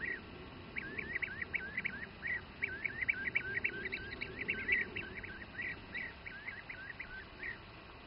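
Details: Bee-eater feeding youngsters, Přerov region, Czech Republic; bursts of rolling, burry trilled calls, at times run together into rapid chatter, then spaced singly, over a faint low hum.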